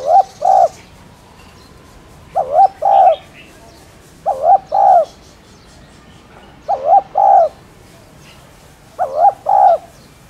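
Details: Spotted dove cooing, recorded for playback to stimulate kept doves to coo. Low, mellow paired coos, a short double note then a fuller one. Five phrases come about every two to two and a half seconds over faint steady background hiss.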